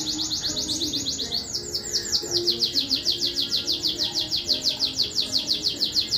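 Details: Competition domestic canary, Juiz de Fora, Minas Gerais, Brazil, delivering a long rapid rolling trill of high repeated notes, shifting tempo midway and continuing evenly, over a low murmur of background noise.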